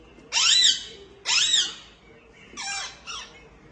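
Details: Indian ringneck parakeet, a female feeding her chicks in the nest: four loud, harsh, screechy squawks in two pairs. Each squawk arches up and then falls. The first two are the longest and strongest, and a faint background hum sits underneath.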